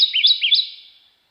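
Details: Kentucky Warbler (Geothlypis formosa) song, a spring warbler of Kentucky: rich, sweet, slurred two-syllable phrases, each dipping then rising, repeated in quick succession without rising in volume, fading with a slight echo.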